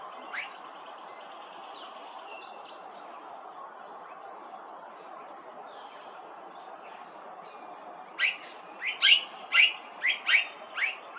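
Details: Immature Blue-faced Honeyeater at Hervey Bay, Queensland: quiet at first, then about seven loud, sharp, high calls in quick succession over the last three seconds, with faint chirps from other birds early on.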